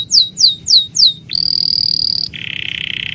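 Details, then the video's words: Bird chirps: four loud, steeply falling high notes spaced evenly, followed by a buzzy, level high trill and then a lower, steadier rattling trill. "The sound of birds chirping"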